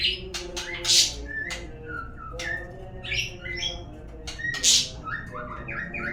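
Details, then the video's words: White-rumped shama lure song for prompting birds to sing: short rising whistles and sharp chirps scattered between bright noisy bursts, over a steady low hum. "suara pancingan burung murai agar bunyi"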